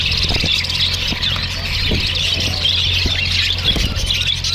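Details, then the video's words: A flock of Australian parrots chirping to each other: shrill, overlapping chirps and squawks chatter nonstop over a steady low mechanical hum. "See the way Australian parrots speak | They are chirping eachother"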